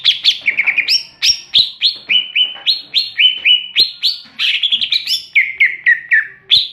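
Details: Greater green leafbird (cucak ijo) giving a rapid, continuous ngeplong song: many bright whistled notes, each falling in pitch, tumbling one after another with barely any pause.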